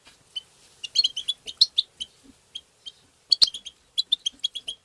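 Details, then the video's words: Goldfinch song for stimulating goldfinches: a lively string of high, tinkling chirps in quick succession, a sharp click just past three seconds, then more evenly spaced bright notes. "وتغريد الحسون بتبتة مجنونة"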